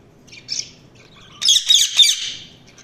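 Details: Budgerigar chirping: a brief high chirp, then a loud, dense, buzzy warbling burst of rapid high notes lasting about a second before fading.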